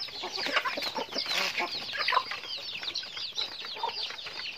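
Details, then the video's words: Short stretch of a chicken flock in daily activity: rapid, crowded high-pitched chirping and peeping from several birds at once, steady and loud throughout with no pauses. "Natural Sounds of Chickens"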